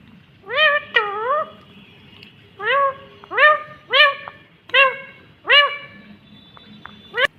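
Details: Indian ringneck green parrot talking in a series of about seven drawn-out, nasal, rising-then-falling syllables spaced irregularly over several seconds, rich and harmonic, somewhat meow-like, over quiet background hiss.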